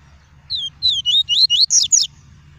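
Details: Caged double-collared seedeater (papa-capim) singing the pure tuí tuí style, used to warm up males and teach young birds: a quick run of six bright, down-slurred whistled notes that climb higher toward the end.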